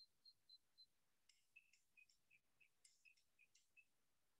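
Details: Desert Cisticola full call: four thin high whistles, then a run of lower chirping notes mixed with sharp dry clicking notes, about four per second; the clicks are vocal, not wing clicks.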